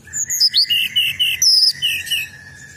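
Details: Sunda robin lure call: clear whistled phrases at varying pitches over a steady, thin lower tone, with bright descending and flat notes in short bursts.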